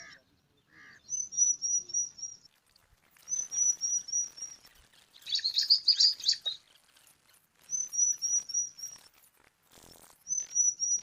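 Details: Five bar-winged prinia chicks compete for food at a nest in alang-alang grass: short bursts of harsh, hissing begging chatter alternate with thin, high, level whistled notes, each phrase lasting about a second with brief gaps between.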